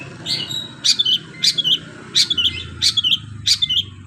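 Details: Long-tailed shrike singing canary-like phrases: short high chirps with a twisting downward flourish, repeated about every half second over a low background hum.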